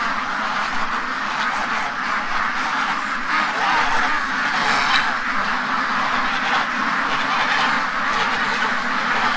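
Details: Flock of free-range domestic ducks in a pen near Toronto, Ontario, Canada, agitated in the morning after something spooked them; a dense, continuous chorus of overlapping harsh quacks with no clear pauses, steady loudness throughout.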